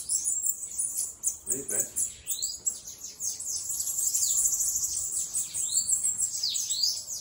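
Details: Loose bananaquit giving a sibilant, buzzy high twitter of rapid notes and looping sweeps, with a brief low human sound early on.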